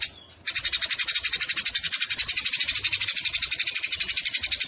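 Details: Fighting Eurasian tree sparrows chattering: after a short quiet opening, a steady rapid stream of high, scratchy notes, about eight to nine per second, continues without pause to the end.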